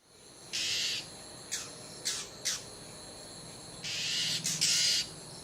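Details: An Oriental Magpie-Robin, apparently a juvenile, in a garden in western Thailand gives harsh, rasping alarm calls: long hissy rasps with short scratchy notes between, about six bursts in five seconds.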